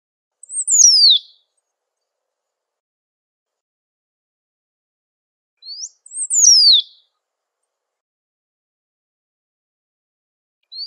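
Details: Great pampa finch calling and singing in nature, repeating a short high phrase about every six seconds, each a rising note followed by a sharp downward-sliding whistle; silence between phrases.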